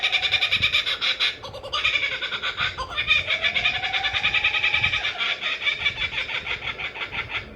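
Kookaburra laughing: a loud, raucous cackle of rapid hooting notes, about two per second, rising and falling in an unbroken chorus.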